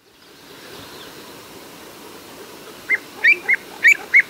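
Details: Little grebe (Tachybaptus ruficollis) of the Orkney Islands gives five short, squeaky high notes, some with a quick upward flick, spaced under half a second apart after a stretch of soft background hiss.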